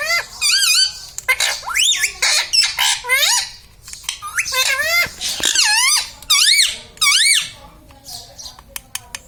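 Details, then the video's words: Talking pet parrot saying words like mummy, papa and radhe radhe; a long run of loud, arched, harmonic syllables, some rising, others dipping, in quick irregular bursts with brief pauses indoors. "parrots talking papa"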